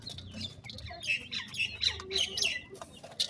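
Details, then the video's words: Brief burst of partridge babies peeping: quick, shrill chirps tumbling over one another in rapid succession, with some soft rustling underneath. "bhoray teetar k bachay,pheasant bird chicks ki voice,partridge babies"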